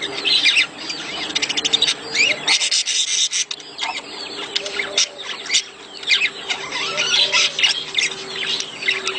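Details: Busy budgerigar mating chatter, used to encourage the female to lay eggs. Rapid clicking and scratchy notes pile up from several birds, with a brief quieter gap partway through.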